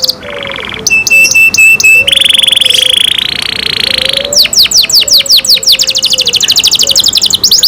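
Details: Kept canary alternating buzzy harsh rolls and thin piping notes, then bursting into fast repeated falling whistles and a rapid trill.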